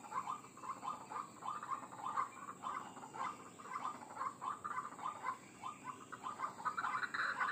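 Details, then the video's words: White-breasted waterhen call used to attract wild birds: busy, overlapping, throaty croaks repeated rapidly, rougher and louder toward the end, over a constant hiss. "Suara Pikat Ruak Ruak Ampuh"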